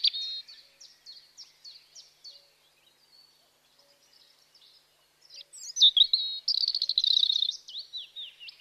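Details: Bird chirping in nature: a string of quick, high, sharp chirps repeated about every third of a second, a brief pause, then a rapid bright twittering trill with sliding whistled notes.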